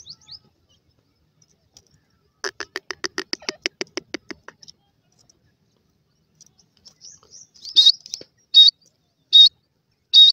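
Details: Grey francolin chicks fighting: a rapid series of about a dozen short clicky broadband pulses, then sharp high chirps repeated every second or so against a quiet background.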